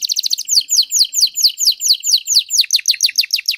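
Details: Canary from a trio of master singers: a quick stuttering roll, then a steady series of sweeping downslurred notes, closing with lower, faster slurred notes.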